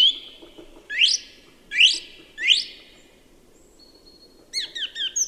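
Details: Song thrush delivering one phrase three times in a row, each a loud, sweeping upward whistle, followed after a short gap by a run of quick, high, bouncing notes. Faint rumbling background.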